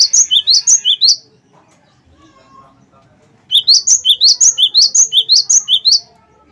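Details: Cinereous tit, 'wingko'-style song played as a lure so other birds start singing; bright, high, piercing two-note phrases repeated quickly in two runs, with a near-silent gap between them.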